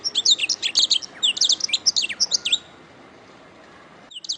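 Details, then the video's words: Canary song from a master recording for training other birds: a fast run of bright, repeated high chirps and trills for about two and a half seconds, then near silence, ending with one short burst. "Masteran Suara Kenari"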